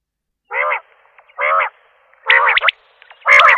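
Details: Common quail giving four rasping, nasal notes about a second apart, the last two mixed with faint sharp flicks.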